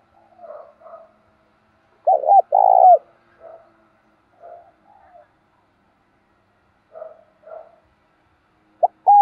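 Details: Decoy spotted dove cooing to lure wild doves: faint low mutters scattered throughout, one loud burst of two hollow hoots followed by a long rough coo near the start, and another strong note beginning at the very end.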